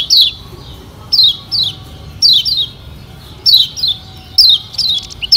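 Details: Lombok yellow white-eye (kecial kuning) in a lure meant to prompt singing: clear, high notes falling in pitch, given singly or in pairs every second or so.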